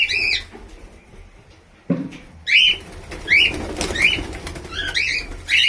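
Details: Albino red-eyed cockatiel giving short, harsh, harmonic chirping calls that bend up and down, about six in under six seconds, with a gap of quieter rustling and a thump partway through.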